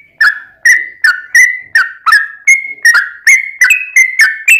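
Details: Fighting song of a yellow-vented bulbul, played to provoke rival bulbuls to answer: steady run of short, slurred, downward-bending whistles about three per second, loud and clear with no other sounds.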